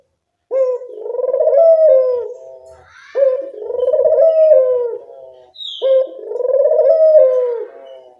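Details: Lure recording of a Barbary dove meant to attract birds: three low, purring coos roughly every two and a half seconds, each a quick opening note then a long trilled roll that tapers away; otherwise quiet.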